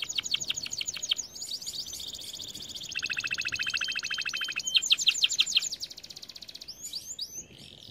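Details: Song of a canary played to train canaries: fast clicking trills, a rolling buzzy tour, a steady pulsed rattle and a burst of rapid slurred notes at the end.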